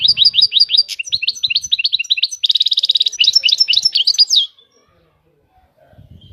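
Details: European goldfinch singing, a fast run of bright twittering notes with rapid trills, buzzy rattles and sliding whistles, lasting about four and a half seconds before falling silent, faint low thumps in the background.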